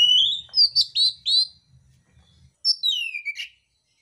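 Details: Oriental magpie-robin, a fighting-contest bird, sings a rising whistle and a quick run of bright looping notes, then after a pause a sliding descending whistled phrase; faint low hum early on.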